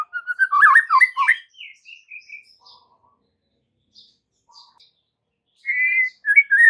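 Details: Shama (white-rumped) singing in an afternoon lure meant to make trotol and pastol juveniles respond; a tumbling burst of mixed whistles and chirps, softer scattered notes fading away, then a renewed loud whistled phrase.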